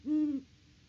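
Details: A single steady, deep hoot lasting under half a second from a Great horned owl at its nest on a farm in Peabody, Kansas, picked up by a live nest camera in October 2023.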